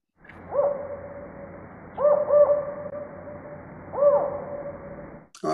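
A Northern Spotted Owl gives mellow, low hoots: a single note, a quick pair, then one more, spaced about two seconds apart over a faint low hum.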